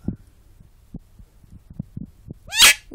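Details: Domestic talking bird in a room: a string of faint clicks and taps, then near the end a loud, rough, hissing squawk with upswept tonal streaks.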